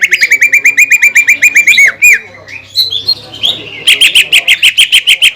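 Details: Greater green leafbird, a lure to make other leafbirds sing, pours out quick repeated whistled notes, pauses with softer warbling, then resumes with loud, rapid ringing notes.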